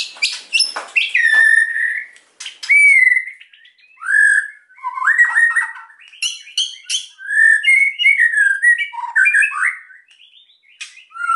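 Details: White-rumped shama song used to encourage quiet birds to sing, a long varied sequence of sharp clicks, slurred whistles and rising and falling notes with short breaks between phrases.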